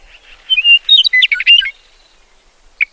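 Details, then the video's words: Meadowlark song: a clear, whistled phrase that breaks into a quick run of bright, warbling notes, then one short note after a pause. "meadowlark sound effect"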